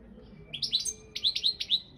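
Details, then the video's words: Competition singing of a Balkan goldfinch, Carduelis carduelis balcanica, in an internet world championship: two runs of three or four clear, upward-slurred high notes in quick succession. "Pesma štiglića 002/23 World Championship in Goldfinch Song"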